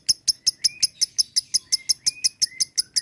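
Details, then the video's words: Lovebird chirping in a regular, quick series of sharp, high notes about five per second, with a thin, lower whistled tone slipping between them. Recorded as a lure for ngekek singing. "LOVEBIRD KICAU ngekek Panjang"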